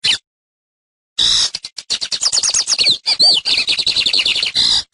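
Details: A lined seedeater (Sporophila lineola) sings a teaching song: a fast, high, run-on song of buzzy trills, sharp chips and slurred whistles after a brief first note and a pause.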